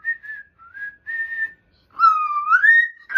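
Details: Indoor pet cockatoo whistling part of a happy little tune: a few short, soft whistled notes, then a louder, longer whistle that rises and holds.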